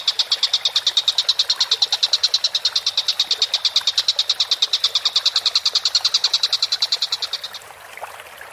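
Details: Collared kingfisher calling vigorously: a long, steady run of sharp, harsh notes repeated very rapidly at an even pitch, fading out near the end, with no other clear sounds.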